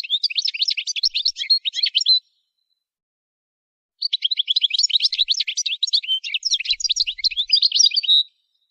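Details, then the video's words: Goldfinch song used for song training: two long bursts of rapid, twittering high notes, each lasting about two seconds and separated by a short silence, with no other sounds. "Song Goldfinch Training Enhancing Their Musical Abilities"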